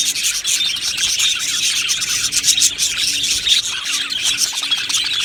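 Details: Happy budgerigars chirping together in a dense, continuous chatter of high, scratchy warbles and twitters, with short squeaky notes overlapping throughout.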